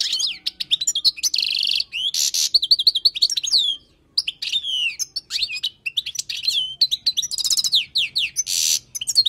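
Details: European goldfinch of wild stock singing for tutoring, an almost unbroken stream of fluid twittering, quick trills and several harsh buzzy bursts, with one short silent break.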